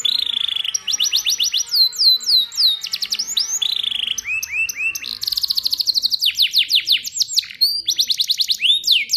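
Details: Canary song used for training young canaries: a rapid, varied sequence of high rolling trills and repeated sweeping notes, switching phrases every second or so, with a few fast downward-slurred whistles, continuous and loud throughout.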